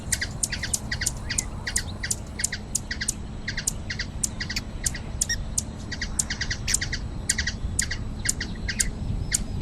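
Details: Continuous high, squeaky chipping of a hummingbird in Brazilian nature, closely spaced notes in short repeated groups, set over a steady low rumble.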